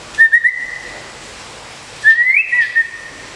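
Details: Moulting caged White-rumped shama, an award-winning contest bird in Kebumen, Indonesia, gives two clear whistled phrases, each opening with short notes and drawing out into a long steady tone, the second rising slightly.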